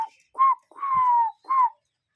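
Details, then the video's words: Cuckoo in nature giving three clear whistled notes: a short rising one, a long drawn-out slowly falling whistle, then another short note that rises and falls, with nothing else heard. "Relaxing Cuckoo Bird Sound in Nature"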